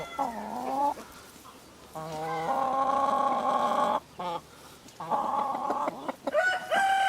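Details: Rooster crowing in several long harmonic, drawn-out calls, each held about a second or more, with short pauses between them and a final rising call near the end.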